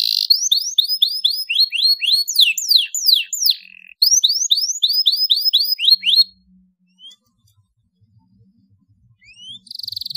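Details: Canary chirping played to stimulate young canaries to sing: fast, high trills of repeated down-slurred notes in two bursts over about six seconds, then quiet apart from faint background noise.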